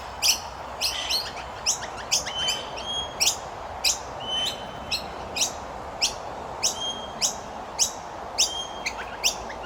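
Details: Chirping of common myna chicks as they are fed: crowded, sharp high notes with whistled tones, several in quick clusters, over a steady broad background hiss.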